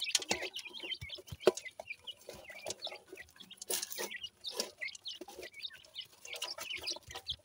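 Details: Grey francolin chicks, a brood from Punjab bred in captivity, give a busy chorus of short high cheeping notes that rise and fall, overlapping rapidly with a few soft lower clucks and sharp clicks.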